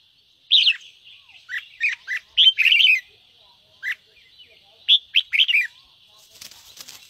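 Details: Red-whiskered bulbul in ché-style song, played to fire up other birds: sharp, slurred notes in short clusters with pauses, ending in a brief burst of noisy hiss.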